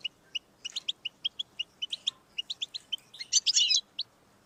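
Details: Goldfinch song to stimulate a pet goldfinch: steady sequence of clear high chips, some doubled, building to a dense harsh buzzing flourish near the end.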